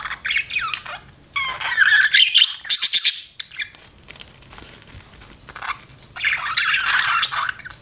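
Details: Pet budgerigar chattering in short squeaky bursts, with a rapid series of sharp clicking notes in the middle and a final warbled phrase after a quiet stretch.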